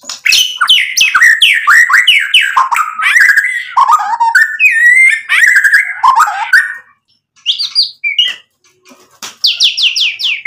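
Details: White-rumped shama song used to provoke other birds: dense rapid whistled and warbled phrases for several seconds, then pauses and short bursts of descending high notes.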